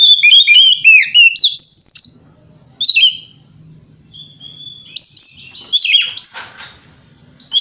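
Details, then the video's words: Morning song of a white-rumped shama meant to goad rivals into replying: rapid tumbling whistled notes at first, then a held plain whistle and harsher, buzzy high bursts after short gaps. "Pancingan Kacer Gacor Pagi Hari Bikin Lawan AUTO NYAUT!!! Ikut Emosi"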